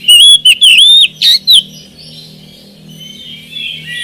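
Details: Oriental magpie-robin lure song for coaxing a lazy caged bird into singing; a few loud ringing whistles with sharp clicks, then quiet with a faint hum and soft distant whistling.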